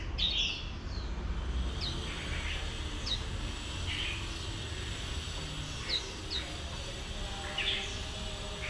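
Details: Brief high down-slurred chips from a female oriental white-eye meant to trigger líu song in a wild-caught male, spaced every second or so against steady low rumbling noise.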